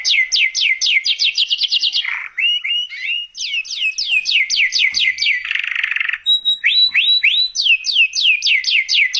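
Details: Canary song recorded as a lure and tutor for other canaries: rhythmic rows of falling whistled sweeps, two short buzzy rasps, rising slurs, then rapid descending notes again to the end.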